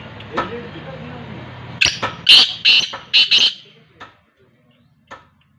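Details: Black francolin, a desi kala teetar, calling in an open place while attacking a man: a low hum, then a burst of five or six rasping, scratchy notes in about two seconds, ending with scattered faint clicks.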